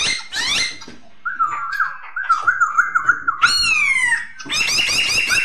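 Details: Masked laughingthrush (poksay hongkong) song: loud whistled notes with rich harmonics, a wavering trilled phrase near the middle, then a long falling whistle and a burst of rapid rising notes at the end.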